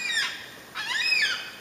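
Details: At Cathedral Rocks, a Yellow-tailed Black Cockatoo family of two parents and a chick gives two harsh, drawn-out, wavering, slightly rising screeches about half a second apart, as warning calls about an approaching person and the chick begs for food.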